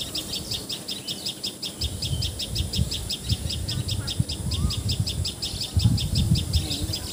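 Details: Common tailorbird (Assamese names patxhia sorai and tiposi sorai) in Assam, India: rapid, regular high-pitched notes run throughout, with a faint short whistle from another bird and low rumbling background.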